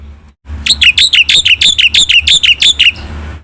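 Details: Black-winged myna singing hard: about a dozen loud, shrill, downslurred whistles repeated evenly in under three seconds over a low background hum.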